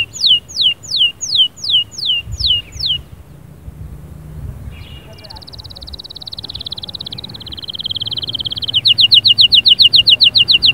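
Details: Spirited canary singing to motivate a quiet bird: a series of loud falling whistled notes about twice a second, a short gap, then a long sustained buzzy roll dropping slightly in pitch and breaking into a rapid rattling trill.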